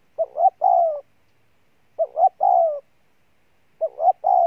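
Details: Spotted dove, a wild-caught bird, cooing hard: three separate phrases. Each is a short double note followed by a longer, falling, husky coo, all low and mellow. Silence fills the gaps between phrases.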